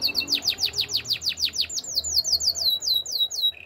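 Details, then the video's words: A Waterslager canary sings a fast run of sharply falling whistled notes, about six a second, then shifts into a smoother tour of softer descending notes; canary training song. "Waterslager Canary Chirping! Canary's Training Song"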